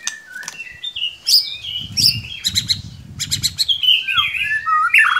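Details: White-rumped shama lure song for stirring a silent bird: dense mix of whistles, rattling chatter and squeaky slurred notes, with faint low rumbling behind.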